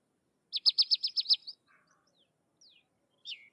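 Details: Sykes's lark song opening with a rapid run of about seven sharp, high chipping notes, then softer thin slurred whistles and a short falling note after a pause.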